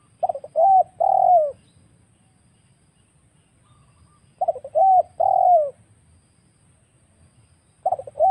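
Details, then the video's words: Wild spotted dove trapping lure: repeated phrases of quick stuttered notes, a clear coo and a long falling coo, recurring about every four seconds over a low steady hum. "suara pikat burung tekukur Liar"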